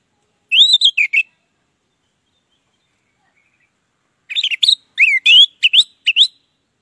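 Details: Orange-headed thrush singing in loud 'ngeplong gacor' style, played as a lure for birds that have stopped singing; a brief burst of rising, looping whistles, a silence of about three seconds, then a quick series of swooping whistled notes.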